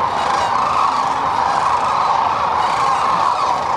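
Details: Sandhill cranes pausing on their northward spring migration along the middle Platte River, Nebraska; a thick wall of rolling, trilled calls from countless birds, even in loudness from start to end.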